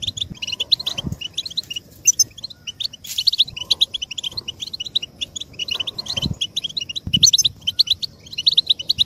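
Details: Chorus of European goldfinches, chatter played to bring males into breeding condition fast: steady stream of high tinkling, twittering phrases with brief harsher bursts, plus scattered low thuds.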